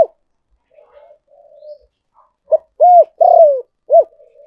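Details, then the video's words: Lure call of a spotted dove: quiet low cooing first, then one complete phrase of a short note, a rounded coo, a long buzzy descending coo and a brief closing coo. "cu gay moi chuan mp3"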